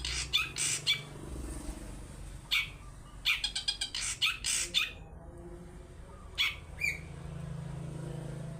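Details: Long-tailed shrike lure song, 'toet toet' type, intended to draw other birds into song: scattered bursts of sharp, scratchy chatter separated by quiet gaps, over faint background hum.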